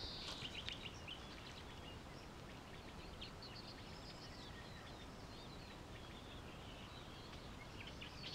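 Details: Eastern olivaceous warbler singing in northern Greece in spring 2016, recorded on a compact camera; faint, rapid scratchy chattering notes run continuously through the clip, partly masked by steady low rumbling background noise.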